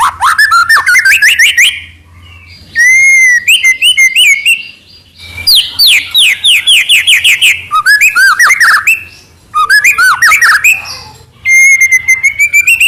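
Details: White-rumped shama in energetic trotol song, long rapid trills of fast repeated notes alternating with sweeping whistles and short pauses, with a steady low hum beneath.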